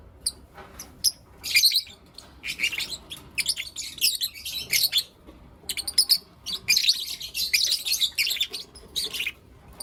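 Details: Lovebirds, blue opaline and lutino opaline, kept as pets, chirping in the morning: dense bursts of harsh, high chattering chirps in quick irregular clusters, with short pauses between volleys.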